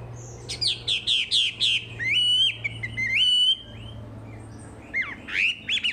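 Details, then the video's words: Wambi song in a tutor recording: rapid descending chips, then drawn-out wavering whistles with overtones, ending in a few scratchy rising notes; faint low hum in the background. "Masteran Wambi paling istimewa full materi"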